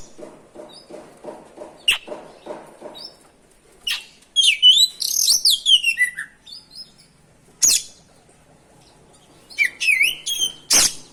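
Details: Oriental magpie-robin singing continuously (ngerol) as a lure meant to agitate other magpie-robins: bursts of sweet, varied whistled phrases, some sliding and rising, separated by sharp clicks and pauses, over a faint low rhythmic pulsing hum at the start.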